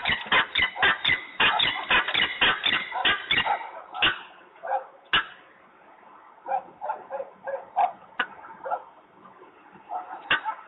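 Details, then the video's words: A quarrelling peregrine falcon in Włocławek, 15 November 2020, 14:22, fires off a fast, even string of hoarse kak notes. It then trails into scattered, rougher calls with gaps, and one more sharp note comes near the end. "Glinka się awanturuje 14:22 Włocławek 15.11.2020 sokół wędrowny"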